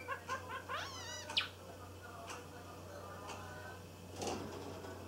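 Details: Pied Java sparrow, a roughly 224-day-old male practising his still-unfinished song (subsong), opens with dry clicking notes, then a wavering, rising, bell-like whine and softer chips; low electrical hum underneath; recorded 13 May 2015.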